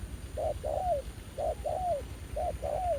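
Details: A spirited wild spotted dove responding to a ground decoy during trapping. Three crisp phrases roughly a second apart, each a short coo followed by a longer note that slides downward at the end, with faint low noise behind.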